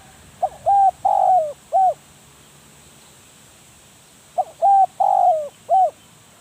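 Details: Spotted dove used to decoy wild doves, delivering two identical cooing phrases about four seconds apart, each with quick short hoots around a longer coo that falls at its end.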